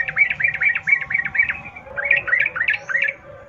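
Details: Wild sooty-headed bulbul in rapid rolling forest-style song used to prompt captive birds; evenly spaced, slurred warbling notes in two phrases over a low rumbling background.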